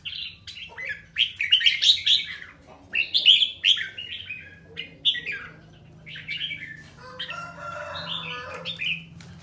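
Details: A red-whiskered bulbul in training sings chains of loud, bright warbling phrases about a second apart, followed by a rougher scratchy passage.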